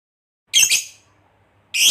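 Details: Fighter lovebird, a hobby bird, giving a quick double rasping squawk followed after a second's silence by another harsh screech.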